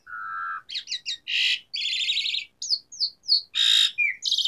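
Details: Vigorously singing Asian pied starling with varied fill-in phrases, a training lure for silent starlings: a long level whistle, then quick harsh chattering notes, buzzy bursts, downslurred whistles and a final scratchy phrase.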